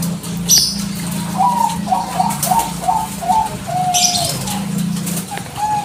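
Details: Bangkok-type zebra dove calling nonstop, used as a lure to make other doves answer; a chain of short, fluting coos and quick trilled notes, with a steady low hum underneath and occasional brief hissing bursts.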